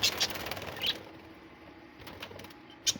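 A small parrot gives a few short, high chirps, three close together early on and one more near the end, over a soft, steady hiss.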